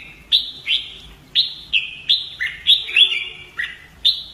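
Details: Caged Red-whiskered bulbul practising fighting song: crisp whistled notes stepping down in pitch, delivered in quick succession with brief gaps, ending on a single high note.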